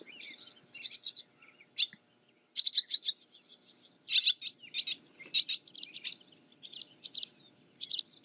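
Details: Twittering song of a barn swallow, given as bursts of sharp, buzzy chirps separated by brief quiet gaps, with softer warbled notes between the louder bursts.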